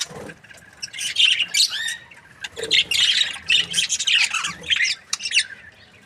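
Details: Happy budgerigars chirping, a busy stream of harsh squawky notes and warbled chatter in bursts with short pauses, several birds calling over one another.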